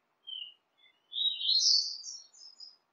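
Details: Double-collared seedeater singing, played to warm up kept birds: a short thin whistle, then a longer, softer warbled phrase rising higher, with faint background hiss.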